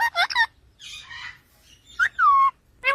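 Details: Green parrot said to speak Urdu, with short harmonic speech-like bursts, a buzzy phrase, then a clear falling whistled note near the end, separated by quiet gaps.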